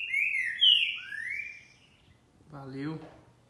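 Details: Green-winged saltator on 28 March 2021 at 11:30 on a Sunday morning, delivering a couple of bright slurred whistles and a falling note, then a man's voice speaking briefly.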